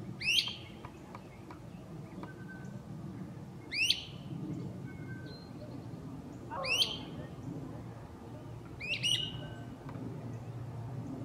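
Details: Echoing calls of a great crested flycatcher high in forest foliage: four loud, sharply rising whistled wheeps spaced about three seconds apart, with faint bird notes between them.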